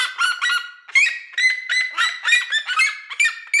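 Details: Red-legged seriema singing from a house roof in farm country gives loud, shrill, dog-like yelps in a fast run of about three notes a second, each note sliding and ringing, with no other sounds.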